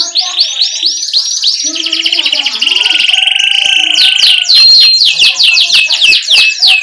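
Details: Canary song for training young birds, performed gacor as a rolling ngerol: quick chirped phrases, a long steady rattling trill, then sharp descending sweeps in rapid succession.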